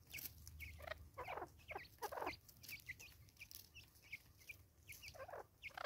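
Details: Angry female Natal spurfowl in South Africa, 2024, giving a run of harsh, raucous, broadband cackling bursts in quick uneven succession, with small high chirping birds calling throughout behind her.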